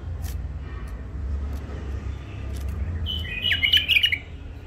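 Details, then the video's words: Newly caged wild bulbul from Mandali, an old catch, breaks into a short, fluty warbled phrase near the end, over a steady low rumbling hum. "بلابل وحشيات خامات كاع منفذ مندلي لسانات روعه"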